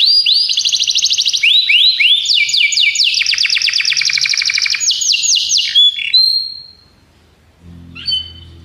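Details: Belgian canary singing a training song: rapid trilled phrases of repeated notes, about three per second, switching between buzzy rolls and sweeping whistled syllables, ending in a short clear whistle and a faint low hum.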